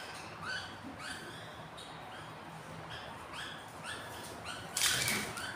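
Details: Hungry budgerigar nestlings on their fourth day, three hatched of eight eggs; a steady run of short rising chirps about twice a second, ending in a sudden loud rustling burst.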